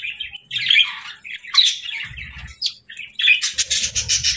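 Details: Budgies chirping happily with high, squeaky squawks and bent whistled notes, ending in a rapid buzzy chatter.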